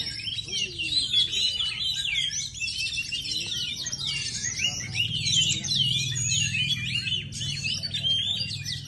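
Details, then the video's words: Kacer ngepet oriental magpie-robin in sustained, lively song: rapid, tumbling whistles and chattering trills, sliding up and down without pause for nearly nine seconds, over a faint low background rumble. "Kacer NGEPET"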